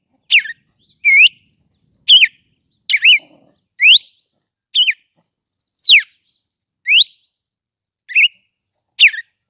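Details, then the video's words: Red-cowled cardinal singing persistently, ten loud whistled slurs roughly once a second, some sweeping up, others dropping sharply, a few hooked or doubled, with no other sounds behind. "GALO CAMPINA CANTANDO MUITO"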